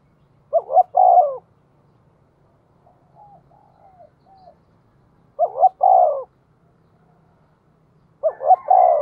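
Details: Spotted dove in the 'giọng thổ' voice style giving a provoking call used as a lure for wild doves: three cooing phrases spaced a few seconds apart, each quick low coos then a longer coo, with soft faint coos between, quiet background.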